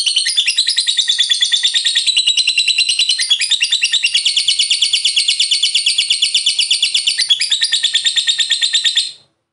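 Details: Fighter lovebird giving its long ngekek chatter, used to provoke other lovebirds to sing: a continuous, very fast, shrill trilling stream of high notes lasting about nine seconds without a break, then stopping abruptly.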